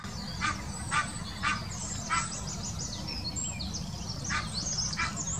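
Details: Egyptian goose giving its mating call in the Wittlicher Senke, 2018: a run of hoarse, honking bursts about twice a second, a short pause, then more honks, with thin high songbird chirps over steady background rumble.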